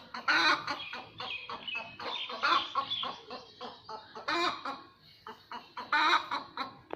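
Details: Noisy hen just after laying an egg, loud cackling clucks that swell into harsh drawn-out squawks, repeated in uneven bursts about every second or two.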